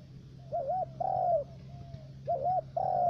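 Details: Three-note decoy spotted dove used in dove trapping at Khánh Hòa commune, U Minh, Cà Mau, Vietnam: two mellow phrases, each a double wavering coo followed by a longer, downward-gliding coo, against a low constant hum.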